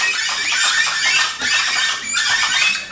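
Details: Gray-headed chachalacas calling noisily together in the early morning at Rancho Naturalista, Costa Rica: a dense chorus of harsh, raspy, overlapping notes that rise and fall in loud surges without pause.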